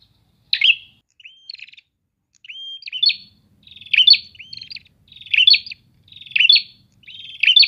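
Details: Prinias calling back and forth, a lively chorus of short buzzy, chirping phrases roughly once a second, each a burst of high scratchy notes with a clear rising whistle between some bursts; quiet background.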